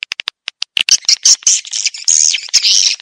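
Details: Edible-nest swiftlet lure call used to attract swiftlets into a swiftlet house: a few short, separate chirps, then dense, buzzy, high twittering that runs almost without a break.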